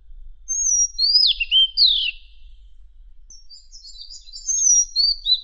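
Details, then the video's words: Madagascar magpie-robin singing, used as training material for contest songbirds: sweeping high whistles sliding down into a buzzy trill, a pause, then a scratchy chattering phrase, with no other clear sounds. "Isian Suara Burung Kader Madagaskar Unik"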